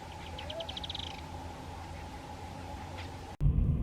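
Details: On a frozen July 2024 winter sunrise (-6°C before dawn) on rural roads near Monte and Lobos, Buenos Aires province, a group of Firewood-gatherers nesting in a thorny tree gives a quick, high chattering series of about ten notes that speed up and run together, over low rumble and faint hum.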